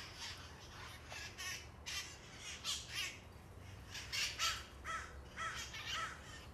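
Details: Feral parrots, descendants of released pets now breeding in San Francisco, calling on Telegraph Hill near Coit Tower: repeated harsh screeches roughly twice per second, several with a clear strident tone, over low background hum.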